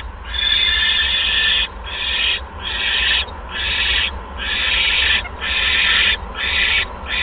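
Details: Owl at the nest at 8:38 PM, 16 February 2015, while a second mouse is brought; long, rough hissing screeches of varied length follow one another with barely a pause.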